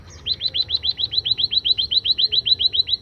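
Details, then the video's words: Scaly-breasted munia, a kept bird singing after being sunned: a rapid, steady series of high, thin downslurred chirps, about six per second, running without a break; faint low hum underneath. "suara emprit kaji setelah penjemuran"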